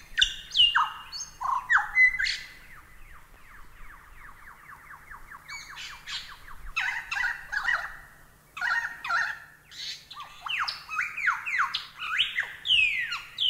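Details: Masteran recording of a lyrebird in varied song: sharp whistles, a long fast run of rhythmic descending notes, then mixed chattering, squawky and whistled phrases, some rising steeply.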